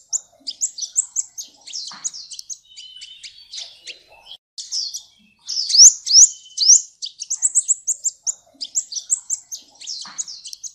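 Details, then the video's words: Sunbird song from a cage-bird training masteran: continuous high-pitched twittering of quick upslurred chirps and scratchy notes, swelling into louder sharp phrases near the middle. "SUARA BURUNG - Masteran Terbaik Kolibri"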